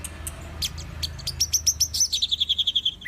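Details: Orange-headed thrush song: a few sharp high chips, then a fast even trill of bright whistled notes at about four per second, sliding slightly lower toward the end, with a faint low hum beneath.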